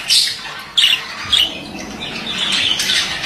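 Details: Male budgerigar giving loud, clipped squeaky chirps at the start and twice more within a second, then a continuous buzzy, rasping warble.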